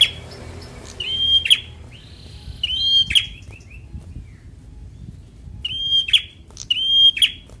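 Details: A semi-young fighter bar-winged prinia repeats its phrase several times, each a flat, piercing whistle that breaks into a sharp crackling snap. Softer slurred notes and brief pauses separate the phrases.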